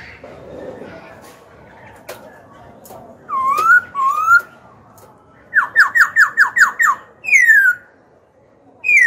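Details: A black-throated laughingthrush sings to stir rival birds and train youngsters: after quiet background noise come two rising slurred whistles, a burst of six fast falling notes, a long descending whistle, then the start of another note.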